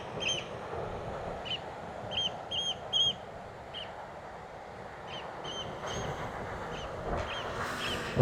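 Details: Eurasian oystercatchers at Orre beach, south-western Norway, late evening around 8:30, about 15°C, attacking a drone; sharp, high, piping 'kleep' notes, singly and in quick pairs, about a dozen in eight seconds, over rushing wind and drone motor hum.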